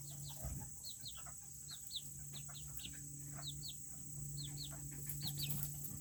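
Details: Serama chickens, the smallest chickens in the world, chatter in their coop with clear, high, arching down-slurred peeps, often in pairs, repeated every half second or so over a low hum and a high electrical whine.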